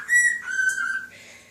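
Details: Short phrase from a male pet cockatiel that whistles tunes to a fish and other birds: one clear note dropping to a lower sustained tone, then fading.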